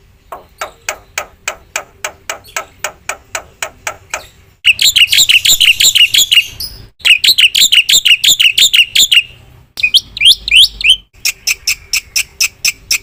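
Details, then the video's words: Black-winged myna singing energetically with varied phrases: a long series of evenly spaced dry clicks, then loud harsh chattering bursts, upslurred whistles, and a final run of rapid sharp notes, separated by abrupt breaks. "suara jalak putih gacor full isian"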